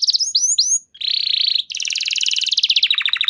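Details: Canary song meant to trigger other canaries to sing: a few rising whistles, a brief pause, a steady buzzing roll, then a fast rattling trill sliding into lower repeated notes.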